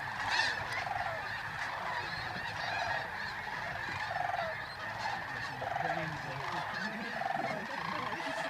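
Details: Geese in their thousands leave Bosque del Apache, New Mexico, at sunrise on 10 November 2013; a thick roar of honking swells and dips in waves, with nasal calls repeating beneath it.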